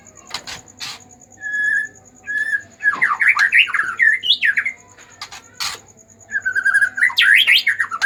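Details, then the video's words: Agitated White-rumped shama singing, used as a lure to stir other shamas into song: varied whistled and warbled phrases that rise and fall, separated by short pauses, with sharp clicks in the background. "pancingan murai batu emosi"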